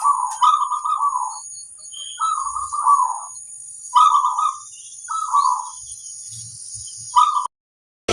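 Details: Zebra dove, a local bird, in the kerot koar singing style used to raise other doves' mood and breeding urge: five short bubbling, trilled coo phrases under a steady high electronic whine, with a few soft thumps.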